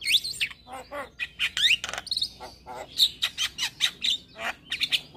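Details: Energetic morning song from a male Javan myna: a jumble of shrill whistles, rising squeals and rasping notes, followed by a run of bright squeaky chirps.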